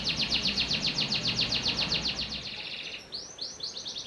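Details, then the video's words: Panda canary singing a fast, even trill of repeated downslurred notes for nearly three seconds, then several rising arched whistles. "Kenari Panda Tanpa Ruji"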